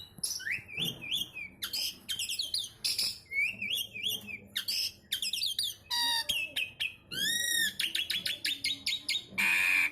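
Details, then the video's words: A Javan pied starling delivers isian-style song: bursts of harsh buzzy notes and chatter alternate with wavering whistled phrases and fast repeated arching notes, in a near-continuous loud stream. "jalak suren jawa / javan pied starling isian sekebon kacang"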